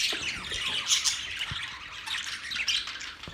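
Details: Parrot chirps and scratchy squawks in quick irregular succession, high and busy, with a soft knock or two in the background.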